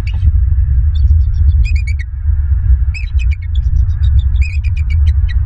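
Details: Bald eagles on a Southwest Florida nest, recorded by a live nest camera early on the morning of 28 January 2023: rapid runs of sharp, high, squeaky chirps in quick chattering series, set against a heavy low rumble of wind and camera noise.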